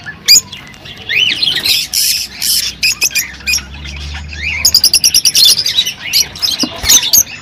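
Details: Rosy-faced and Fischer's lovebirds chattering to stimulate mating: loud shrill squawks mixed with rising, upswept squeaky notes, then a fast rattling run of clipped chirps near the middle, continuing in irregular bursts.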